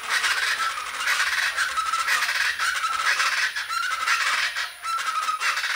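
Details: A family of three or four plain chachalacas in trees on a sunny day call together in a loud, harsh, overlapping chorus, a grating rhythmic clatter that never pauses, with a person's voice briefly at the start.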